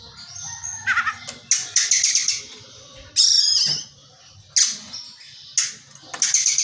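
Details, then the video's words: Kacer (Oriental magpie-robin) singing with Tengkek Buto (kingfisher) material: loud, harsh, high-pitched squawking bursts in irregular clusters, separated by short quiet gaps. "KACER NGEPLAY MATERI TENGKEK BUTO"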